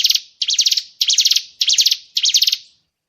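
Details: White-rumped shama (murai batu) fill-in 'tembakan' master sound for training contest birds: five scratchy, buzzy bursts, each with a stuttering rhythm, repeated about every half second before falling silent.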